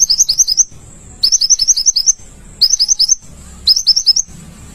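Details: Olive-backed sunbird, a songbird for training others to sing, repeating short high-pitched rippling trills in four bursts, each under a second, with brief quiet gaps between.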